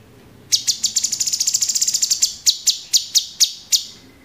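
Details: Caged Orange-bellied Leafbird, a master recording for training cage birds in the 'tembakan' burst style: a sudden run of about twenty sharp, high ticking notes, fast and even at first, then slowing to spaced strikes.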